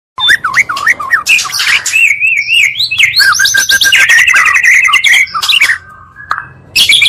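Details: Oriental magpie-robin song combining two birds' voices, used to provoke and excite other magpie-robins; loud varied phrases of whistled wavering notes, rapid trills and harsh chips, nearly continuous with a brief pause near six seconds.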